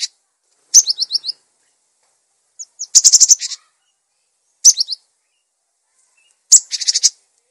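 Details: Vigorous singing from a cinereous tit meant for tutoring and luring other birds: quick strings of four high whistled downslurs trade off with rough, pulsing buzzy rattles, all on a silent background.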